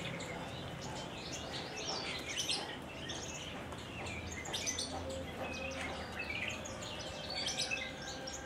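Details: Caged Horsfield's bush lark from Kulon Progo singing in the Jambul style. It gives quieter, scattered high chirps and short twitters over noticeable low background rumble and noise.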